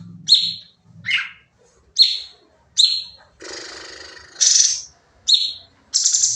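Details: Training song of a Sooty-headed bulbul in rapid 'nembak' style: repeated bright chirps roughly every second, a drawn-out harsh buzzy phrase, then higher chirping bursts, with faint low human voice in the first second.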